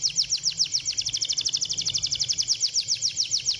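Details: Canary song to get canaries singing: a continuous, very even high trill of quick pulsing notes, about seven or eight per second, with faint background hiss.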